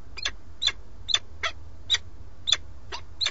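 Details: At a nest in Alcalá de Henares near Madrid, Spain, a male peregrine falcon with a captured starling keeps calling to the female, who stays away; filmed by a live nest camera. Rasping notes about eight times, spaced roughly every 0.4 seconds, above a low droning hum.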